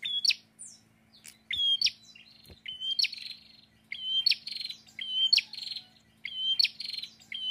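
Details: Prinia singing loudly and restlessly, a lively, chatty bird: each phrase is sharp high chips followed by a steady piercing whistled note with a buzzy tail. Phrases repeat roughly every second, about six in all, over a faint low steady hum.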